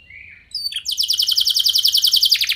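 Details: Short burst of canary bait song for triggering replies from other canaries: a faint whistled note, a few sharp chips, then a dense, rapid high trill of repeated notes.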